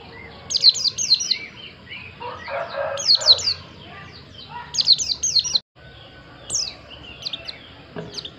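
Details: White-eye (pleci) in lively song: dense clusters of high, quickly falling whistled notes repeated in bursts, some softer twittering between, with a low background hum.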